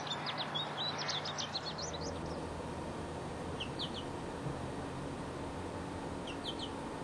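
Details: American goldfinch giving a quick burst of bright, high chirping notes for about two seconds, then scattered short twitters at long pauses, with a constant low hum behind.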